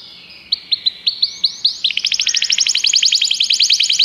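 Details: Canary song opening with sparse upswept chirps that speed up and merge into a fast, bright rolling trill of evenly repeated notes.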